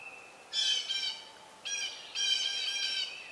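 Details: Nest of young Southern Red-shouldered Hawks about to fledge as an adult arrives with a snake as food; a thin steady tone, then loud, rasping, harmonic squeals in three bursts, the last long and sustained.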